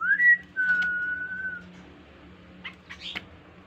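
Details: An insect-eating Kaso-kaso bird used as a singing lure for other birds. It gives a short rising whistle and a long steady whistled note, followed by a few faint, scratchy notes over a low hum.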